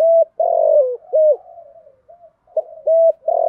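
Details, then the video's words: Spotted dove lure call, 'thổ thúc' voice, used to call in wild doves. Steady flat coos, a long falling coo, and softer trailing notes, then repeated level coo notes and a final sustained coo. "tiếng chim cu gáy giọng thổ thúc gù gáy gọi đủ bài giúp bổi nhanh nổi"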